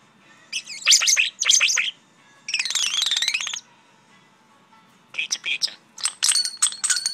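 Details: Pet common starling talking, recorded in May 2013: bursts of high squeaky clicks and whistles, a rapid rattling buzzy phrase, then more sharp chirps and electronic-like trills.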